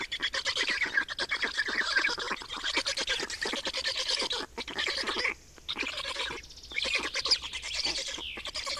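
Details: Black storks in Estonia on 28 May 2019, at the nest for a changeover and feeding: harsh, fast-pulsed rasping chatter in long bursts, broken by two brief pauses near the middle.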